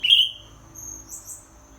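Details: Greater green leafbird in molt: a bright, sharp whistled note opens, trailing off, followed by faint high thin chirps over a steady high hum.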